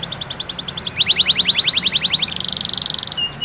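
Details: Canary song intended to get other canaries singing: a quick high trill, then a lower run of sharp repeated notes about five per second, ending in a smooth rapid buzzing roll.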